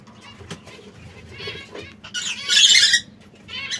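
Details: Among brown, red and yellow canaries, soft chirps lead into a loud, harsh buzzy trill lasting about a second, followed by further chirping.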